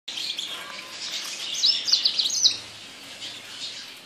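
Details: Bird known locally as the yasmin bird singing: a dense run of high, thin chirps and twitters, busiest in the middle and fading toward the end, with no other clear sounds.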